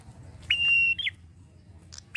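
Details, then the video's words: A male red-headed prinia gives one long, steady, high whistle, then a short down-slurred note and a few faint clicks before another brief whistle. "PRENJAK KEPALA MERAH JANTAN GACORNYA NGALUN"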